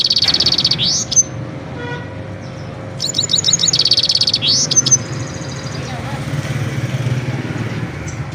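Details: A Himalayan goldfinch (European goldfinch, Carduelis carduelis) sings two bursts of fast, buzzy twittering with quick rising upswept notes, over a low traffic hum.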